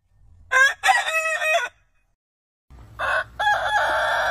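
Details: Two rooster crows from heritage chicken breeds. Each opens with quick clipped syllables and then holds a steady, drawn-out final note. The second is rougher and comes over a low background rumble.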